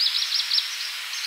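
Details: A black redstart in central Poland gives a quick run of thin, high, slightly scratchy notes over a steady hiss of background noise.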